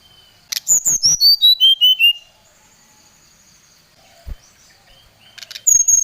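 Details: Agitated Oriental magpie-robin calling to a rival with a lure song: about seven sharp whistled notes cascading downward in quick even steps, a long silence, then a renewed high whistled phrase.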